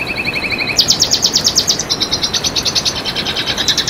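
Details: Continuous high Red siskin song for training and luring birds: a quick rattling trill drops to a lower run of notes, then a loud burst of rapid sharp chips, about three per second rising in intensity, followed by steady twittering.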